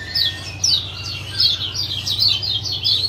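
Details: A male lemon-bellied white-eye from Lombok repeats short, high 'ciak' chirps, roughly three a second, with a low hum beneath; these calls are played to coax a silent male back into song.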